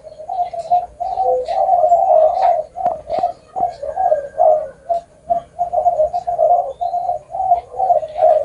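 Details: Spotted dove cooing: a steady run of low, soft hooting notes, closely spaced and overlapping with almost no pauses, a few faint clicks in the background.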